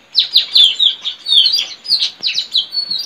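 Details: A wild white-rumped shama in forest delivers a steady, unbroken string of about a dozen sharp descending high notes, rhythmic and bright, recorded while the bird was being tracked for trapping.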